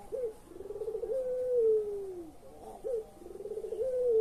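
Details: Collared dove (puter) in pelung style, a call used to coax silent or lazy birds into calling: a short rising note, a rolling trill, then a long drawn coo sliding downward, repeated twice.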